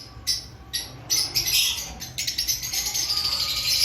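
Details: Lovebirds before the breeding season, a group chattering with shrill, high chirps and squeaks in dense overlapping bursts, a brief lull then a near-continuous busy stream of sharp notes.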